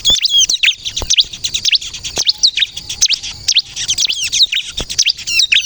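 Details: Bar-winged prinia of the crystal type in vigorous song for luring other prinias into answering: quick high chirps and sharp down-slurred whistles in a steady, busy series, with a few short pauses.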